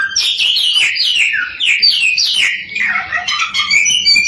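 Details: Samyong lure song to spark singing in other samyong; quick falling whistled slurs followed by softer warbling and high chirps.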